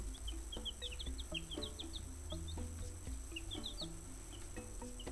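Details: Five-day-old chicks in a brooder, given a worm: short high peeps, each dropping in pitch, repeated rapidly in loose clusters over steady background music.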